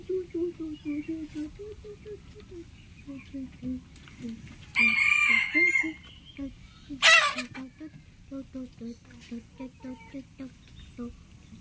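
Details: Morning crowing of a rooster amid a farmyard: a steady run of low, short clucking notes repeats throughout, broken by a rough, drawn-out crow and a second brief harsh crowing burst.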